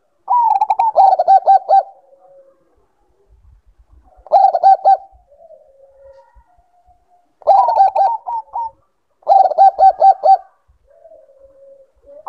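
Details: A zebra dove (Bangkok-type perkutut) gives four bursts of rapid, rolling staccato coos about three seconds apart, each trailing into softer, lower murmured notes.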